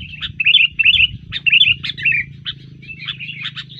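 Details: Sooty-headed bulbul singing vigorously after being disturbed, in fighting mood: rapid bright chirpy notes and short warbled phrases repeated without pause, over a steady low hum.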